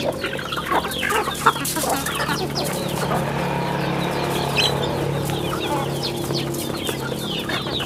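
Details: Chicks on a rural chicken farm, a steady chorus of many high, short descending peeps overlapping throughout, with a low constant hum and scattered clucks underneath.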